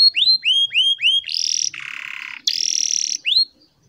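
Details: Canary song with long rolls and pauses, meant for training young birds: four downslurred whistles, then a buzzy high rattle, a lower harsh churr and another buzzing rattle, ending in a clear upswept note.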